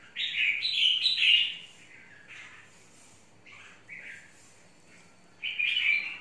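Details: Caged red-whiskered bulbul of the mộc type, described as very fired up in its long cage and waiting for another bird to rush over; bright, rich warbled phrases in bursts, a loud run at the start, softer notes mid-clip, a strong phrase at the end.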